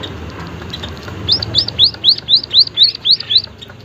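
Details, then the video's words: White-headed munia, called emprit haji in Javanese, gives a clear series of nine high, arched, slightly slurred whistles repeated about four per second over faint background noise. "emprit kaji haji gacor suara aneh"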